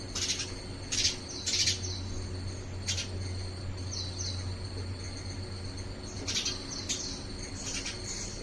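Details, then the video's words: Indian house sparrow inspecting a handmade round coir nest at a home to see if it is worth adopting: sharp, high chirps given singly and in quick pairs, over a continuous low hum and a high whining drone. "Indian Sparrow Examining Artificial Nest At My House | Original Chirping Sound"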